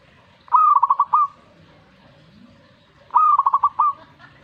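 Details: Perkutut (zebra dove) answering a master recording with two bubbly cooing phrases, about two and a half seconds apart, each a quick run of pulsed notes closing on a longer coo.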